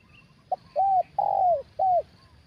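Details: A big-voiced spotted dove calls during trapping with a decoy bird, in the 'kuk satu' style. Its four-part phrase runs from a short blip to an arched coo, a long sliding coo, and a closing hooked coo. Faint bird chirps sit in the background.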